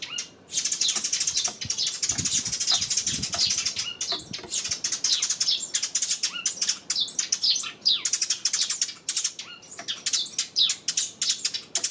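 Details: Sparrows recorded on 28 May, giving dense, continuous high chirping and twittering calls that overlap throughout, with brief soft flutters and a short quieter gap near the start.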